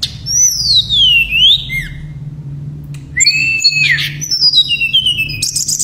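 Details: Gacor singing from a tledekan pring shortwing: a long pure whistle gliding down then up, a pause, then rising whistled slurs and high thin notes in nembak style, low hum behind.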